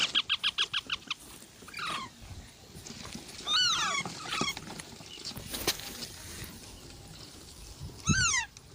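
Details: A green parrot sounds a quick series of short, rhythmic squawks. Several harsh, falling screeches follow, scattered over a noisy background with clicks and rustling.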